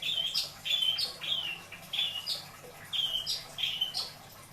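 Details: Caged long-tailed shrike in Indramayu singing isian: clear whistled notes that rise sharply then fall and level off, repeated about every second in a steady series.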